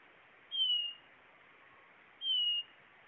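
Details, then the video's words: Blue-naped chlorophonia singing two pure, high whistled notes that each slur slightly downward, spaced under two seconds apart against a quiet background. "Canto!! Guaturamo-Bandeira"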